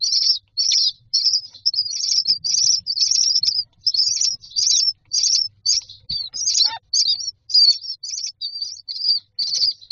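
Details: Myna chicks in a nest box begging for food: rapid, raspy high chirps repeated almost twice a second in a steady stream, with a brief lower rising note near the middle and faint low hum beneath.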